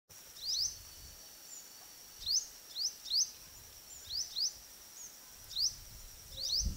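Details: Oriental magpie-robin in the Andaman Islands, India, giving short, sharply rising whistled notes, often in quick pairs, repeated about once a second over a steady high insect-like drone.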